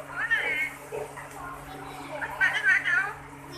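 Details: Talking rose-ringed parakeet, a Kashmiri green parrot kept as a pet, uttering two short bursts of high, nasal, speech-like warbling phrases separated by quieter murmuring, with a steady low electrical hum underneath.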